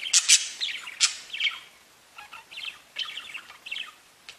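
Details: Budgerigars singing and tweeting: loud burst of sharp chirps opening, then softer quick warbled notes in short phrases.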